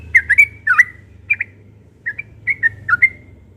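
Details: Morning song of a yellow-vented bulbul, or trucuk: clusters of rich, liquid, bubbling whistles, some doubled, with brief pauses between bursts and a low hum underneath.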